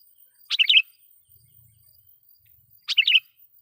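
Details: Sooty-headed bulbul lure song, loud and lively, used to provoke and call in wild rival bulbuls; two short bubbly phrases of quick, tumbling mid-pitched notes, about two and a half seconds apart, over near silence.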